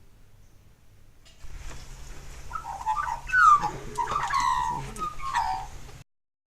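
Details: Australian magpie song from the Brisbane area: a rich run of mellow, fluting and gurgling phrases that rise and fall, carried over a low steady hum.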